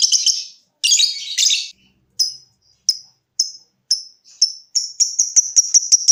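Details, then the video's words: Caged lovebird ticking: after harsh squeaky bursts, crisp high ticks come about every half second and then speed up toward a trill, meant to prompt other lovebirds to trill. "Suara Burung LOVEBIRD dimulai NGETIK lanjut NGEKEK"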